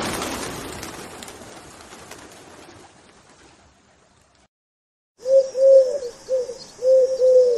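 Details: Pigeon mating call: after a few seconds of fading rumble and a silent gap, a series of deep, rounded, throaty coos rolls out in quick bursts, about five or six notes over the last two and a half seconds.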